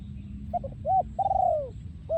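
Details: Breeding male spotted dove, recorded in 2023, singing in the style called โยนคูอ่าง: two short clipped notes, then a rounded coo and a long, loud, falling drawn-out coo, with a low rumble of background noise.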